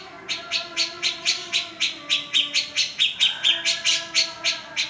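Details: Vigorous cica jenggot singing, claimed to trigger stuck birds into voice: steady repeated sharp high chips, a little over two per second, with a faint low hum behind.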